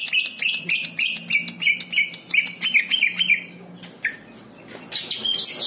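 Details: Greater green leafbird (Chloropsis sonnerati) singing quick, bright chirping phrases, about four notes a second and varied in pitch, with a faint low hum behind.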